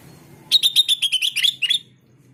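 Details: Sooty-headed bulbul training sound played to get other bulbuls to answer: a rapid chatter of about ten bright notes, dipping lower near the end before a final pair, over a low background hum.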